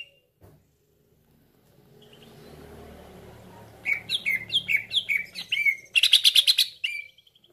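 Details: Cucak ijo call used as a lure for trapping: after quiet and low rumble, a quick run of descending whistled notes near four per second, then a dense harsh chattering burst and a final whistle.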